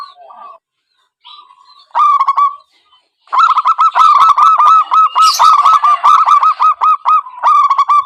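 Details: Zebra dove trapping lure call: soft tones at first, then a long, dense series of quick, hooked cooing notes repeated steadily to the end.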